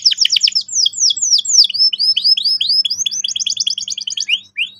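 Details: Canary in full song as a training lure for young birds: loud downslurred notes in a quick series, slowing briefly, then speeding into paired high notes before ending.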